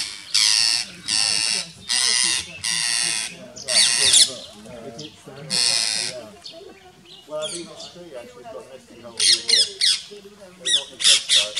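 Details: Rose-ringed parakeets mobbing a rat snake and nipping its tail, Gir Forest, Gujarat, India, 3 April 2015. A series of harsh, broadband screeches in half-second bursts, with people talking quietly over the later part.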